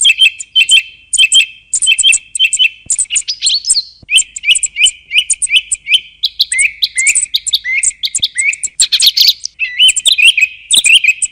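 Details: Song thrush singing: a bright, fast run of short chirped and whistled notes. One motif is repeated over and over, with occasional higher squeaky phrases. The song plays continuously without other sounds.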